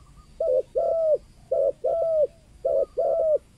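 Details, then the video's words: Local spotted dove of the 'kuk 2' type, a call meant to draw in wild doves. Three evenly spaced pairs of coos, each a short arched note and then a longer falling one, about once every second. "SUARA TEKUKUR LOKAL KUK 2 AMPUH UNTUK PANCINGAN BURUNG TEKUKUR LIAR"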